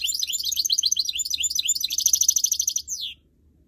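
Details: Canary x goldfinch hybrid (goldfinch mule) singing: a fast, continuous, high twittering warble of rapid chirps and trills, ending in a quick descending slurred note, then quiet.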